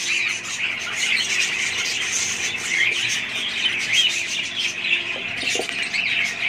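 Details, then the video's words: Family flock of budgerigars keeping up a steady, dense chatter of high chirps and squeaky warbles, a few faint low knocks in the background. "budgies parrots"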